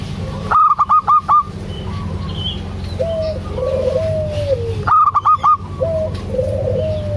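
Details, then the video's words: ['Female local zebra dove calling the male: two loud bursts of rapid, clipped notes, each burst about five notes long, separated by several seconds, with sliding, falling whistles from other birds and a low background hum.'] "Perkutut lokal suara besar"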